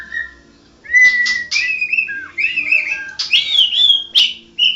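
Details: Champion white-rumped shama in continuous gacor song: a short whistle, then a long rich flow of sliding whistles, chirps and warbles with barely a break, rising to bright high phrases, over a faint hum.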